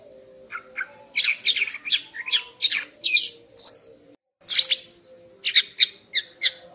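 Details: Female greater green leafbird singing in the morning to raise a male's breeding drive: rapid sequences of sharp chirps and short whistles in busy bursts, a brief pause, then more clipped notes, low hum underneath.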